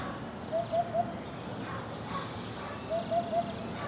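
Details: Eurasian hoopoe calling: two sets of three soft, hollow, low-pitched 'oop' notes, evenly spaced, the second set following about two seconds after the first, over faint background hiss.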